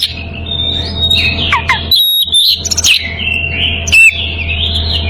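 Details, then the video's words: Oriental magpie-robin, in breeding condition, calling out to a rival with long sustained whistles, wavering slides and a pair of quick falling notes, broken by a short silence and a sharp high squeak; low background hum. "Kacer birahi memanggil lawan"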